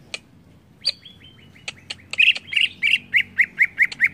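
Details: Greater green leafbird song meant to stir other birds: scattered sharp clicks and a long flat whistle, then a steady run of about nine rich, slurred chirps repeated several times a second to the end.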